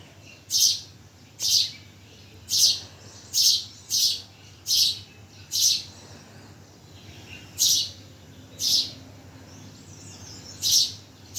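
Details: Bird chirping in Bhimtal: a long run of crisp, high chirps, evenly spaced at first, then a gap before a few more.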